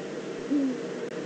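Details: Eurasian eagle-owl, probably a female, calling at the nest scrape in the Eifel on 22 September 2014: one short, low, steady hoot, slightly falling at the end, over a quiet background hiss.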